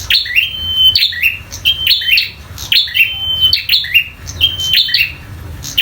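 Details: Local bar-winged prinia in vigorous fighting song; repeated high chipping phrases each closing in a flat thin whistle, six or so phrases in steady succession, low hum behind.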